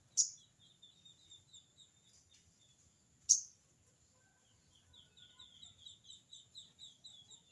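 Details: Crested jay giving its 'crecet cerecet' call to challenge a rival: two loud, abrupt raspy bursts about three seconds apart, then softer pulsing chatter against a continuous high-pitched buzzing background.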